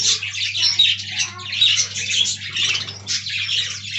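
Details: Aviary colony of parakeets: loud, continuous scratchy chatter and squawks from several budgies, rising and falling in waves, over a faint low droning hum.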